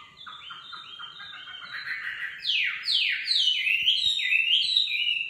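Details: Nightingale song opens with a run of repeated rising notes, then sweeps into loud descending slurred whistles and fast trills, growing louder to the end.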